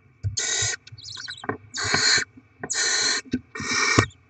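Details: Barn owls feeding their chicks with delivered rodents; four rasping hissed screeches in quick succession, roughly one per second, interspersed with thuds, clicks and a faint higher chirp.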